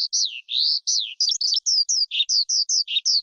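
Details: Forest skylark producing a series of drawn-out, slurred whistles, some rising and some falling, followed by shorter evenly spaced chirps about five per second. Clean, with no other sounds.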